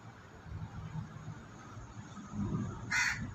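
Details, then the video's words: A crow calls while a flock of white pigeons feeds, pecking at food on the ground: one harsh, broad caw near the end over a low, murmuring background. "Suara Gagak"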